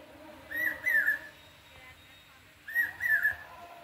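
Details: Common hawk-cuckoo (brainfever bird) calling on the morning of Saptami, the Nabapatrika day of Durga Puja: two clear whistled phrases of three slurred notes, each about 0.7 seconds long, repeated two seconds apart, over a faint low indoor hum.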